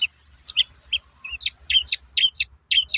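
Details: Toet-toet calling of a long-tailed shrike, used as a lure to make other shrikes sing: quick chirps, some double, sliding between high and mid pitch, about two per second, with a short low buzzy note midway.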